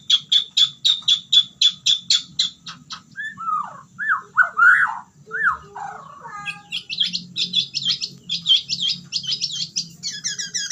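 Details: White-rumped shama in fighter-style singing: a fast series of sharp repeated chips, then rich rising and falling whistled notes, ending in another rapid string of clipped high notes.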